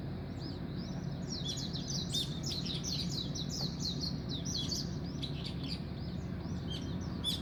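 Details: Several birds chirping at dawn in dense, overlapping high twitters with scattered sharp ticks, set against a continuous low background hum.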